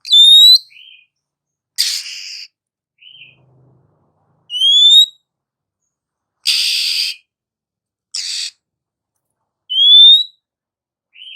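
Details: Female Oriental magpie-robin song, used to prompt lazy males to sing: bright rising whistles, raspy scratchy bursts and brief soft notes, each phrase spaced by short pauses, no other sounds.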